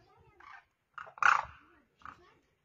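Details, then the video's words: Demoiselle crane, known locally as koonj or karkara, standing on the ground and calling to other cranes in the air: short harsh rolling bursts, one louder central call flanked by softer ones, in a quiet setting. "Demoiselle crane sound | Bird Call/Voice"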